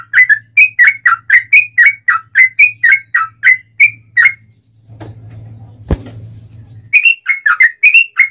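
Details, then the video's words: Yellow-vented bulbul song used to provoke other bulbuls to sing: rapid repeated bubbly whistled phrases, each a short rising-falling slur, broken by a two-second gap with a low hum and a click. "trucukan gacor ROPEL PANJANG pancingan trucukan agar bunyi JADIKAN burung trucuk gacor EMOSI"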